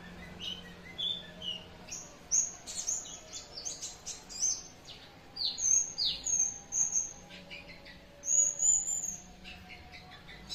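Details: Pleci, a white-eye kept at home, singing a series of thin, high, sweeping whistles and short chirps in bursts, some notes rising and others falling, with quiet pauses between phrases and a faint low hum behind.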